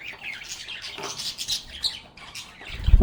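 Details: Happy pet budgerigars singing, chirping and chatting together in a calm setting. Dense warbled chatter fills the clip, ending in a loud low thump.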